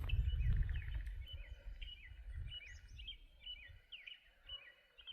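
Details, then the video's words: Woodpeckers, probably at least two or three in different spots, up in trees by a pond in a valley give short, bright, repeated call notes, about two per second, over low wind rumble and footsteps. "You can hear woodpeckers up in the trees."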